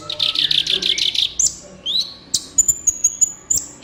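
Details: Master recording of the kolibri ninja sunbird for training caged birds: a quick buzzy series of about eight notes, a rising slurred whistle, then a crisp run of evenly spaced high ticks.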